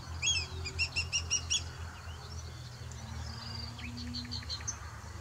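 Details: Black kite recorded 6 June 2023, giving a quick, quavering run of about six high, thin notes, then fainter whinnying notes, over a steady low rumble.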